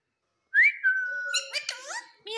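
Rose-ringed parakeet mimicking speech: a rising whistled note, then a long level whistle and a quick run of shrill, voice-like syllables.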